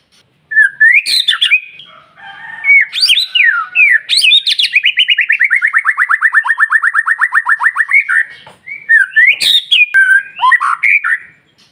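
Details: A white-rumped shama's morning provocation song: sharp high sweeping notes, then a long fast trill of repeated whistled notes sliding gradually lower over about four seconds, ending with more varied whistles.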